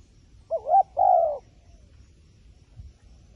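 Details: A single soft coo phrase from a wild pigeon: a short wavering note, then a longer steady coo, followed by near silence.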